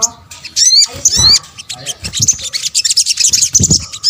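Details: Sunbird (sogok ontong, Nectariniidae) calls: high, sharp chirps and quick whistles that rise and fall, coming in rapid overlapping bursts, with soft low thumps underneath.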